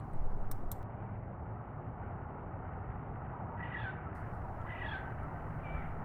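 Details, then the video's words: A crow gives its pretty, musical call, said to be given twice with the whole body; thin, rising-then-falling tonal notes appear near the end, over a loud, steady low rumble of background noise. "This Crow Makes A Pretty Sound"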